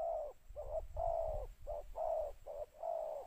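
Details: Decoy spotted dove calling to attract others with a two-note style: soft, throaty coos alternating short and drawn-out notes in a steady series, over faint low rumble.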